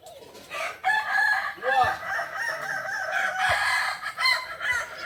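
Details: At a joint practice event in Solok, kokok balenggek roosters deliver overlapping crows; a quieter opening gives way to sustained, layered crowing with wavering, terraced notes.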